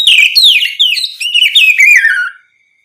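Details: Oriental magpie-robin singing in a full, open style, used to provoke other magpie-robins into answering: a loud run of clear whistled notes slurring downward, ending after about two and a half seconds, with a faint steady tone behind.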